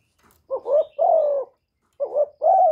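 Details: Spotted dove, kept decoy bird, cooing to stimulate newly kept doves; two low, hoarse two-part coos, each a short rising note then a longer steady mellow one, separated by a pause; clean recording without background noise.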